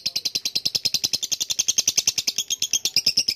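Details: Lovebird trilling a long ngekek, a quick, regular burst of piercing, raspy pulses holding one high pitch.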